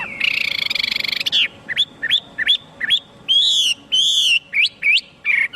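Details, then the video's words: Chinese hwamei song opening with a buzzy rattling trill, followed by separate loud upslurred whistles and longer arched notes, spaced irregularly. "tiếng chim hoạ mi hót cực hay"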